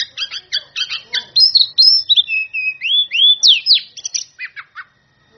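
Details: Kept Oriental magpie-robin belting a rival-calling song: rapid repeated scratchy notes, then sweet descending and rising whistles, ending in a few short chips before falling silent.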